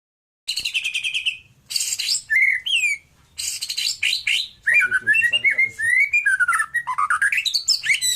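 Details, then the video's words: White-rumped shama from Nias, a caged songbird in full song: loud varied phrases of whistled notes, rapid trills and slurred rising and falling whistles, delivered in dense bursts with short pauses. "Murai Batu Nias Gacor"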